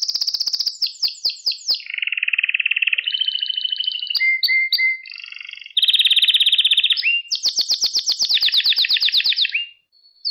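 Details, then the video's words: Singing canary, used to teach young canaries their song: a rapid chain of changing tours, with high pulsed trills, a lower rolling passage, short whistled notes, and a closing run of fast clicking trills. "Orjinal Kanarya Sesi İle Kuşunuzun Ötüş Eğitimi"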